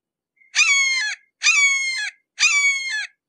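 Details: Red-shouldered hawk recorded at close range, uttering three long, loud, nasal kee-aah screams that drop slightly in pitch, spaced about a second apart, with nothing else audible.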